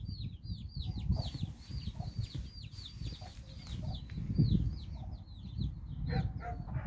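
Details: A hen and her nine chicks out exploring in the Basque Country province of Bizkaia; thin descending peeps repeat over strong low rumbling background noise.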